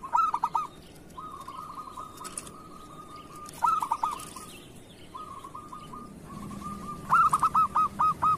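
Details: Local zebra dove of the kerot style, recorded as a master song for training other doves: low cooing phrases of quick hooked notes with long steady hum-like stretches between them, and a final rolling burst of about seven notes.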